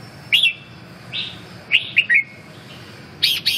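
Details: Red-whiskered bulbul giving short bright chirped and whistled notes, mostly mid-high pitched, in quick clusters with brief pauses, ending in a pair of sharp higher notes; faint steady background hiss.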